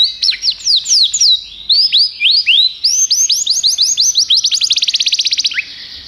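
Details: Belgian canary in loud continuous song: rapid series of descending whistled sweeps, then a long fast trill of repeated notes that quickens toward the end, finishing with a single falling note.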